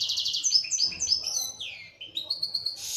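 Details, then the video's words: Singing goldfinch from Algeria, local type. Quick high twitters are followed by a string of falling slurred notes, then a run of short, evenly repeated bright notes, ending in a harsh buzz. "تغريد حسون محلي جزائري ( تاع سيكتور )"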